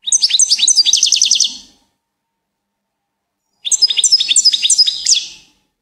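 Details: Two bursts of goldfinch song separated by silence, each a rapid, chattering string of high, bright, clipped notes lasting under two seconds.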